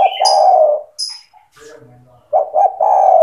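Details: Spotted dove cooing in full voice, a recording used to train young doves to join in calling: low, rolling coos, one long note at the start and a broken run of coos at the end, with brief higher sounds between.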